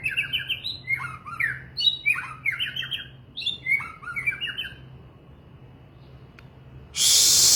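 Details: White-rumped shama (murai batu) singing a rapid, varied run of clear whistled and slurred notes, some rising and some falling, in quick bursts for about five seconds, followed by quiet and then a sudden loud rush of broadband noise.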